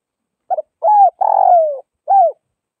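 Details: Northwest Vietnam spotted dove: a soft stuttered double note, a smooth arched coo, a long coarse croo sliding down and a final arched coo, clean and close.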